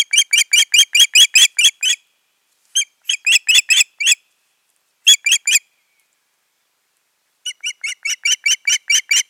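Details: Osprey pair at the nest in Finland on 14 June 2019 after the breeding attempt failed; long runs of loud, shrill, piercing whistled chirps, several per second, in four bursts separated by short silences.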